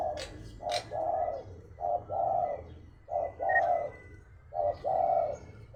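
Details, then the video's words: Spotted dove, a kept songbird, cooing: low soft phrases of a short note followed by a longer rolling coo, repeated about every one and a half seconds, with a few sharp clicks at the start. "masteran Burung Tekukur gacor prestasian"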